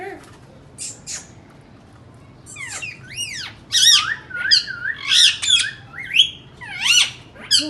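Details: Indian ringneck parakeets calling: after a quiet start, a run of shrill rising-and-falling squawks and screeches comes in quick succession, harsh and high-pitched, with a faint low hum underneath.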